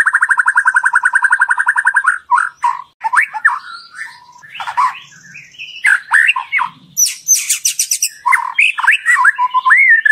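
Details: White-rumped shama song used as a lure to make other shamas sing loudly and show their full repertoire: a long buzzy rattle of rapid repeated notes, then varied whistled swoops, chirps and high rattling phrases.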